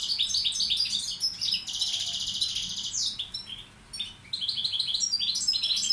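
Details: Balkan goldfinch (Carduelis balcanica) tutor bird singing a high, rapid twittering song with a long buzzy trill in the middle, a brief pause, then renewed tinkling phrases.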